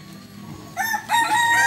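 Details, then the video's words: At a Sunday Balenggek chicken crowing contest in Ampang Kualo, Solok city, landiak class, a quiet start gives way to two loud ringing crow notes, the second long and sustained, over faint background chatter. "Kontes Ayam kukuak balenggek"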